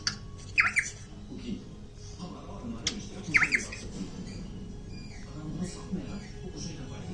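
A cockatiel gives two brief, bright squeaky bursts, mimicking kissing noises, against a low indoor hum.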